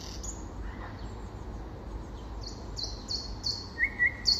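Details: Common nightingale singing in spring: thin high whistled notes sliding downward, then a few short sharp chirps near the end, against a steady low background rumble.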